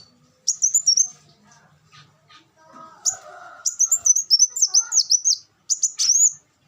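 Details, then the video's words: Black sunbird song used to tutor cage birds: a short shrill twitter, a pause with a low murmuring noise, then longer strings of rapid, piercing notes sliding up and down. "suara burung kolibri wulung"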